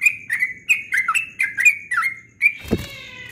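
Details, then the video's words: Yellow-vented bulbul in melodious 'ropel' dawn song: a rapid chain of clear rising-and-falling notes packed closely for two seconds, followed by a louder harsh, buzzy burst with ringing overtones near the end. "Trucukan Ropel Subuh suaranya merdu sekali"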